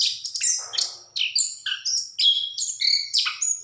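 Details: Anis kembang (orange-headed thrush) in lively song: quick high whistles and slurred notes in brief phrases, some mimic-like, with a short rasping sound early on.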